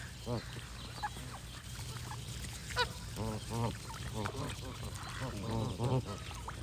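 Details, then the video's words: Geese honk in a busy chorus, nasal harmonic calls overlapping and repeating through the seconds, with a low steady hum beneath and occasional thin notes from other birds. "Goose & Birds Sound Effects for Relaxation"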